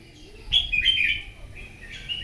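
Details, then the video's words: Morning competitive singing by a wild-caught red-whiskered bulbul: a bright, slurred warble of several rapid notes sweeping up and down, followed by a softer trailing phrase, faint low hum beneath. "Kích chào mào bổi hót đấu " luyện giọng chào mào hót buổi sáng kích chim hót đấu căng lửa"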